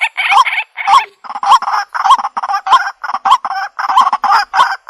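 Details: Waterhen calls used for bird trapping: loud, harsh, nasal notes repeated in a steady rhythm about twice a second, each a short croaking syllable with a slight upward inflection, with no other sounds.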